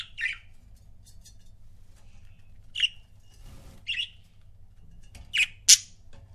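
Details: Budgerigar couples kept as pets: loud, short, scratchy chirps spaced irregularly, with a quick double chirp and a shrill squawk near the end; a soft rustle midway and low hum behind.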